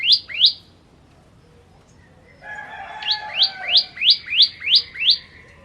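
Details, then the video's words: Bar-winged prinia sounding two quick upslurred notes, a pause, then a steady run of seven rising sharp notes over a faint lower tone. "Ciblek Kristal Gacor"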